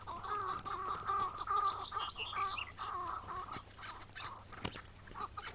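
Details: Morning chukar partridge calling in May 2017, just before the wild bird was caught and released. Ringing, slightly nasal notes run in a steady repeated series with faint higher chirps behind.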